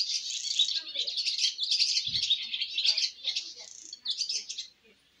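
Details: First-flight calls of baby swallows: rapid, jumbled high twitters, several birds chirping at once, thinning near the end, with one low knock midway.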